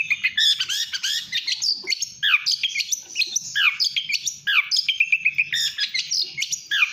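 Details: Long-tailed shrike (pentet) in gacor speed rapet song: bursts of sharp chatter mixed with repeated steep downslurred whistles, phrases following each other quickly with hardly a gap.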